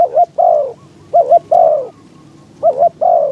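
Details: Caged decoy spotted dove calling to attract wild doves on a windy day, repeating a mellow coo-coo-croooo phrase about every one and a half seconds, the final note drawn out and sliding downward.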